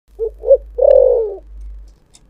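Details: Spotted dove singing in the prized 'thổ sấm' voice style: two short, rounded coos followed by a longer, throaty coo that slides slightly downward, all low and mellow, in a quiet setting.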